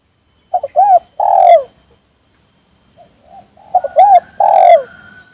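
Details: Calling for other doves to answer, a spotted dove gives two low phrases: quick double coo, arched coo, then a long burry downslurred note. Soft faint coos fill the gap between phrases.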